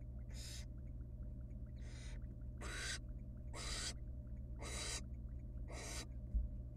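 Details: Wild barn owl nestlings being fed small bits of rabbit by their mother in a nest box; six loud, harsh snoring hisses roughly a second apart, with a faint thump near the end and a low background hum.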